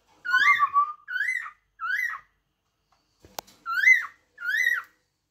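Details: A cockatiel repeats loud, rising-falling whistled calls, three in quick succession. After a short silence and a single sharp click, two more calls follow. The notes sound bright and somewhat harsh.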